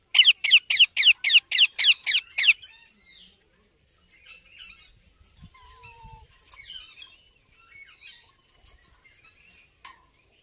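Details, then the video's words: Indian ringneck parakeet chick calling with nine regular, rasping squawks at about four per second, followed by quieter chatter, a soft whistle and light rustling. "Cute Baby Parrot Natural Sounds"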